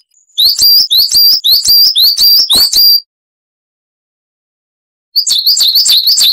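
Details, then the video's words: Coal tit (Periparus ater) song: high, thin, bright notes repeated quickly, about three a second, for nearly three seconds, then a pause before the phrase starts again. "Masteran Burung Gelatik Wucit Panjang Ngalas - Coal Tit"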